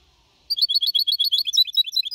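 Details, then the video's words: Mixto de jilguero, a 4.5-month-old goldfinch hybrid singing Copia Malaga song in 2021 for motivating birds; after half a second of quiet, a steady rapid rhythm of sharp high twitters. "Mixto de Jilguero Cantando Limpio (Copia Malaga) 2021 🎶 Tiene 4 meses y medio Para motivar pájaros"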